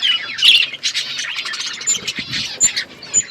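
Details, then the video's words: Many budgerigars chirping together in an outdoor aviary, a dense high warble punctuated by a few piercing short squeaks. "Budgies flocks in outdoor aviary budgies colour budgies chirping sounds"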